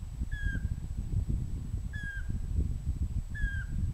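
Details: Pygmy owl uttering three even, clear whistles, each falling slightly at its end, spaced about one and a half seconds apart, against a constant low rumble.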